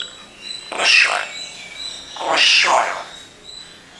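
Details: A parrot imitating human speech produces two drawn-out, word-like vocal bursts about one and a half seconds apart, each with a rising then falling voiced quality over a faint steady background hum.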